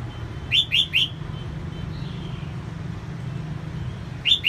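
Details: A female red-whiskered bulbul singing to stimulate males: three sharp, rising whistled notes in quick succession, a quiet stretch with low traffic-like rumble, then one more whistle.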